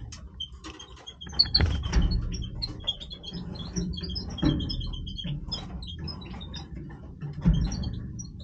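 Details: Major-type European goldfinch singing its breeding song, a dense stream of bright, sharp twittered notes and quick chirps, nearly unbroken for the whole stretch, above a constant low hum.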